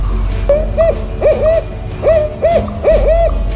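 Barred Owl giving clear, arched hoots in quick pairs, about six notes in three seconds, over a low musical drone.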